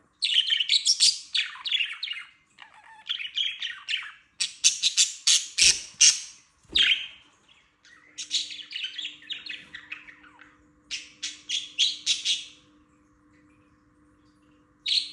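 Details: Pet budgerigars (males) giving their morning chirping, bright scratchy chattering bursts with a faint steady hum behind.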